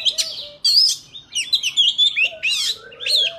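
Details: Forest-style song of a white-rumped shama meant for tutoring young birds: rapid high warbled and slurred whistles in dense varied bursts, with lower sustained piping tones underneath and near-continuous delivery.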